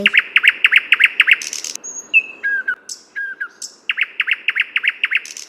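A nightingale sings: a fast run of loud repeated notes, then pure drawn-out whistles and liquid slurs, then another rapid repeated burst. No other sounds stand out.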